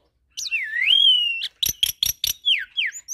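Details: Starling masteran recording mixing Asian pied starling, Nias hill myna and a hybrid. A long wavering whistle is followed by four sharp broadband chacks, then quick descending whistled notes.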